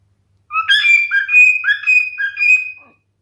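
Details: Male cockatiel singing one phrase of about two and a half seconds: clear whistled notes alternating low and high, with drawn-out whistles between them, then silence.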